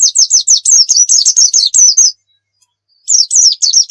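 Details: Oriental white-eye, a loud singing bird used as a song tutor for other birds: rapid high, sweet chirped notes slurring downward, about 3–4 per second in a two-second burst, then a pause and a fresh burst; no other sounds.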